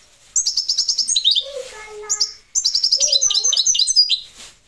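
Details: European goldfinch, parva subspecies, delivering two phrases of quick high chirping twitters that slide down into lower trilled notes, with faint low whistles in the pause between.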